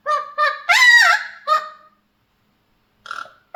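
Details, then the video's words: Mealy Amazon parrot kept as a pet sings two short nasal notes, a louder wavering rising-and-falling phrase, and another short note, then silence broken by a faint later call. "My Mealy Amazon parrot Baby 👶 is singing"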